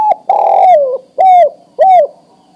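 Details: Adult male spotted dove ready to breed, calling to a female for mating; one long level coo sliding down at its end, followed by two shorter arched coos about half a second apart, clean and close.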